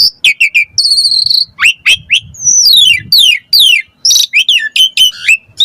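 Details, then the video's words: Asian pied starling delivering a dense 'full isian' song of sharp chips, a flat buzzy high note, several quick downward-slurred whistles and squeaky rising calls. "Pancingan Jalak Suren Gacor Mompa Variasi Mewah / Masteran Suara Burung Jalak Agar Gacor Full Isian"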